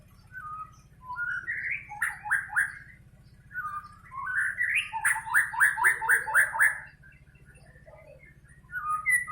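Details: Caged white-rumped shama, kept as a pet bird: rising whistled notes lead into rapid runs of repeated chattering notes, two long bursts with quiet gaps and a low steady hum beneath.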